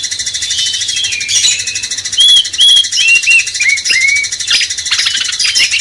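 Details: Song of a cucak cungkok bulbul played to rouse a magpie-robin: a lively series of short arched whistles repeated rapidly, each rising then dropping, over persistent shrill background chatter.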